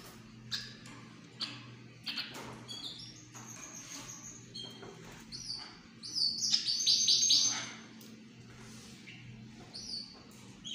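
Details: Qandhari myna chicks give harsh, scratchy chirps in quick bursts, building to a dense, rasping chorus midway, over a steady low mechanical hum.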